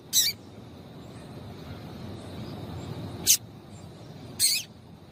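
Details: Short, piercing high chirps from a female yellow-bellied seedeater calling to stimulate males, three notes at irregular intervals over five seconds with soft background hiss.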